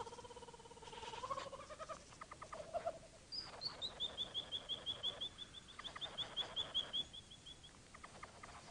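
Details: Bowerbird calling: low whistled tones and rattling bursts open, then a long run of about fifteen high, clear, evenly spaced notes, followed by more rattling pulses.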